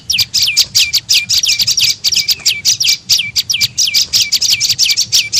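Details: Prenjak lumut (tailorbird) calling in a lure recording used to attract birds. Quick shrill notes, each ending in a short downward slur, repeat rapidly and steadily throughout.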